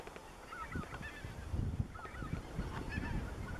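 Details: Greater white-fronted geese under the spring moon in the Dannenberger Marsch on 25 March 2013; short, yelping, upslurred calls sound faintly and repeatedly over a strong low rumbling background.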